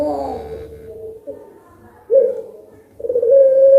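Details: Competition-type collared dove (puter pelung) answering a lure recording: low humming coos that sag slightly in pitch, then a brighter, rising coo at the end, heard in a small room.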